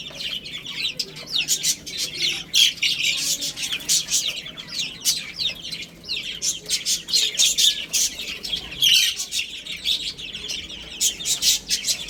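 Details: Baby chickens eating and playing, a dense chorus of high, thin peeping chirps from many chicks overlapping without pause, with sharp clicking taps mixed in throughout.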